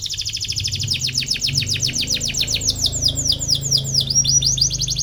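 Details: Atlantic canary in full chirping song as if seeking a rival, used as training bait for young canaries; continuous fast trill of sharp sweeping syllables, high and bright, over a low steady hum.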